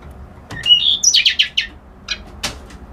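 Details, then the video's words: One phrase of white-browed reed warbler song: a clear high whistle sliding upward, then a quick run of harsh chattering notes, followed by a few softer scattered chips. "Suara Burung Kerak Basi Alis Putih"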